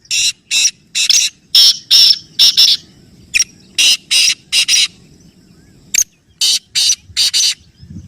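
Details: Loud black francolin calling, meant to get pet birds calling: four phrases of rasping, noisy bursts in an uneven, stuttering rhythm, clear against a quiet background.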